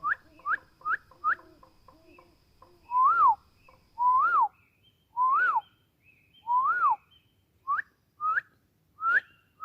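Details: Forest bird song: a run of short upslurred whistle notes, then four longer whistles that rise and fall, closing with three more quick upward notes; clean, pure tones over a quiet background.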